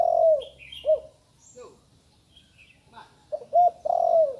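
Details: Young spotted dove just learning to call: a long low coo sliding downward, a short coo, then after a pause two quick coos and another drawn-out falling coo. Faint high chirps from other birds appear between the phrases.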